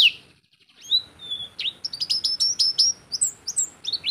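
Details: Oriental white-eye singing in a lively, energetic manner, kept as a tutor bird for teaching other birds or as a lure for attracting wild birds: after a brief pause, rapid high thin whistles and twittering chirps tumble in quick succession, some slurred downward.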